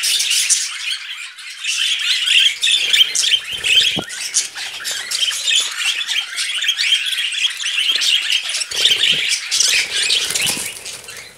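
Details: Several budgerigars, filmed while mating, produce a harsh, raspy chattering mixed with squawks and rapid chirps, steady over the whole stretch, with a few soft knocks in the background.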